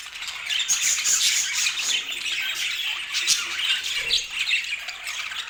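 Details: Lively budgerigar chatter, rapid overlapping chirps and rasping squawks about two or three per second, forming a constant high twitter.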